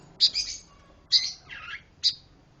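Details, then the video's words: Pancawarna bird giving three sharp, high, harsh chirps spaced about a second apart, the middle one followed by a rougher, lower scratchy note, over a faint low background hiss. "Kicau Burung Pancawarna Gacor"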